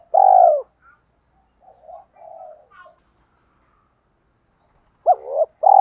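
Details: Spotted dove used as a decoy to draw in wild doves. A long falling coo is followed by soft, faint murmurs, then a hooked double note and the next coo after a pause.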